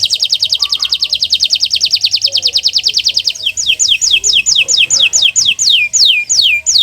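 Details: Canary master song for coaxing canaries back into song: a very fast series of steep downslurred whistled notes that gradually slows into spaced, longer sweeping notes near the end.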